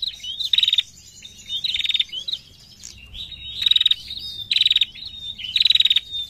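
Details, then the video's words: Female prinia (prenjak) in lively narung calling, giving five loud buzzy rattles at irregular spacing, each joined by high thin whistled notes and quick chirps. "PRENJAK BETINA GACOR NARUNG MANTAP"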